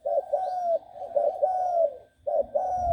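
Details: A six-month-old spotted dove in training gives mellow, hollow cooing phrases, a few short notes and then a long drawn coo, repeated after a brief pause. A faint low rumble sits underneath.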